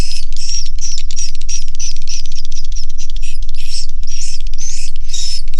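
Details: In a swiftlet house, swiftlets produce regular bursts of buzzy chirping, about four per second, each topped with a short high whistle, over a constant deep hum.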